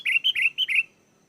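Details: Energetic sooty-headed bulbul song used as a lure and tutor recording: a tight series of five slurred, fluty whistles in under a second, then quiet.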